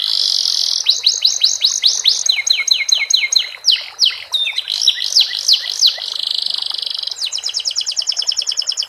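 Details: Canary performing a song stuffed with sikatan londo phrases: a buzzy opening tone, then a varied series of quick downslurred notes and swoops, finishing with a fast high rattling trill.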